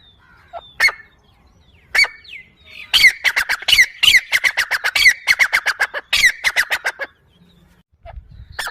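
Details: Partridge giving loud, rapid harsh calls: a few spaced notes, then a dense run of sharp repeated squawks over four seconds before stopping abruptly, with faint low sounds at the close.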